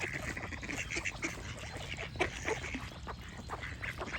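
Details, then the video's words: Group of ducks chattering with continuous overlapping quacks, one sharper call near the middle, and a low steady rumble behind. "Relaxing Duck Quack Sound Effects"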